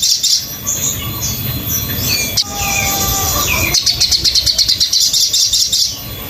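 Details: Sogon singing on a training master: thin high whistles and short chirps at first, then a rapid run of repeated, sharp, high-pitched notes. A low hum runs underneath.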